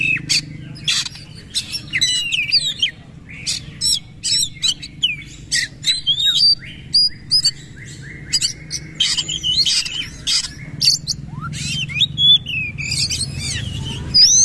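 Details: Oriental magpie-robin singing powerfully in a bowing style: long stretches of loud clicking and rattling notes interwoven with sweet whistled slurs and high chirps, phrases coming in rapid bursts.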